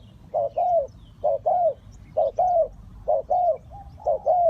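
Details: Spotted dove used to lure wild birds for trapping, calling steadily: each phrase a short coo then a longer arching croo, repeated about once a second, close and clear with faint chirping around.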